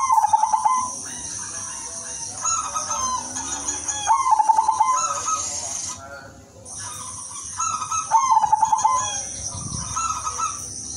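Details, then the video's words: Zebra dove of the udanmas silver line, singing lively with a melodious rhythm meant to lure other doves: pulsed, rolling coos around a low pitch in repeated phrases, overlapping calls, over a steady high insect-like hiss. "perkutut udanmas silver gacor irama merdu jadi pancingan semua perkutut"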